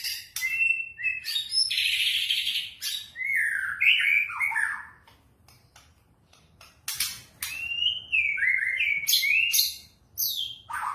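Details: Lure song of a white-rumped shama meant to set other birds singing: varied phrases mixing clear, sliding whistles with rough, buzzy bursts, broken by a brief pause midway.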